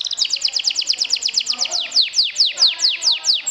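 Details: Canary song meant as a lure to stir rival canaries: rapid repeated downslurred notes, at first quick and close-set, then slower, longer, sweeping whistled slurs in a steady rhythm.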